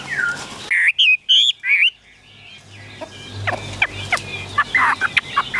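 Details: Caged Chinese hwamei giving a few loud whistled slurs that rise and fall, followed by a noisy stretch with scattered sharp chirps and a low background hum.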